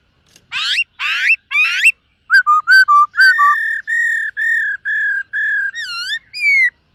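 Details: Black-throated laughingthrush in morning voice training while dancing. Three harsh, rasping upward-sweeping bursts open the phrase. Choppy dipping whistles follow, then a string of level, pure whistled notes about two per second, ending in a wavering note.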